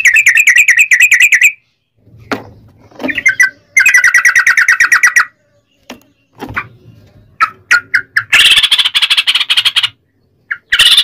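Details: Yellow-vented bulbul in a long 'ropel' fighting song meant to provoke other bulbuls: rapid buzzy rolls broken by gaps, scattered sharp notes and a harsher, louder chattering burst near the end.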